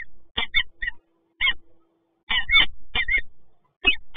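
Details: Resident peregrine falcons meeting in Toruń on 26 August 2022 utter scratchy, rasping call notes in short clusters with uneven pauses, and a faint steady hum underneath.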